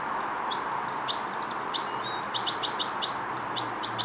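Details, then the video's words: Fledgling European goldfinch learning motor control and coordination, uttering rapid high thin chirps in quick irregular series over steady low background noise. "Carduelis carduelis - Fledgling learning motor control and coordination"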